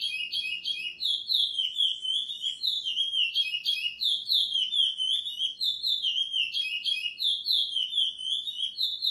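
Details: Chestnut-bellied seed finch (curió) singing a praia-style song edited for training captive birds: a continuous, fast run of clear whistled and warbled notes, bright and slurred, with rising and falling phrases that flow almost without pause.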